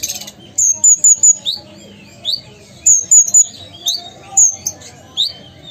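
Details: Ruby-cheeked sunbird from Sumatra delivering short bursts of three high, thin whistles, each followed after a pause by a quick rising chip, repeated roughly every two seconds.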